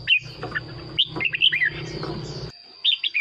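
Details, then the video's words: Red-whiskered bulbul song from a caged decoy bird, played to excite other birds: quick slurred whistled notes, partly masked by a buzzing low hum and a constant high whine, then a clearer short phrase at the end. "เสียงนกกรงหัวจุก สำหรับต่อ หรือ เปิดให้นกคึก เสียงเพราะๆ"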